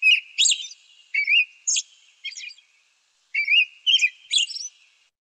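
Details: American robin (Turdus migratorius) song: short, clear whistled phrases with squeaky high notes in two bursts of four or five phrases split by a brief pause; robins are commonly seen in fields picking worms.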